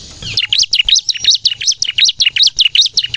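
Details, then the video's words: Ciblek or bar-winged prinia singing to lure and train captive birds: short, high chirps repeated rapidly and evenly, each dipping then rising in pitch. "suara burung ciblek gacor nembak untuk pikat dan pancingan ciblek bahan agar bunyi"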